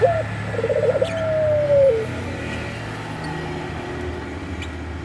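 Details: One coo phrase from a puter pelung collared dove said to be ready to mate: a short upward note, a rapid rolling stutter, then a long level note falling at the end, followed by background hum.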